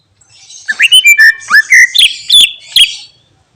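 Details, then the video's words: Greater green leafbird pouring out mimicked phrases: a lively sequence of loud, clear whistles sliding up and down, mixed with sharp chirps, delivered quickly and continuously for nearly three seconds. "Cucak Ijo Bongkar Isian Bikin Emosi Burung Lain"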